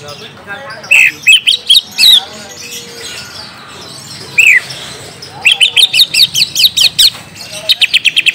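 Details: Greater green leafbird (cucak ijo) lure song played so a young untrained bird starts answering: scattered whistled phrases, one arched whistle, then dense rapid chirping trills toward the end.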